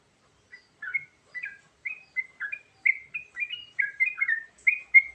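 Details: After a brief quiet start, a sooty-headed bulbul pours out a varied lure song of rich bubbly whistles, paired slurred notes rising and falling in quick succession, getting steadily louder.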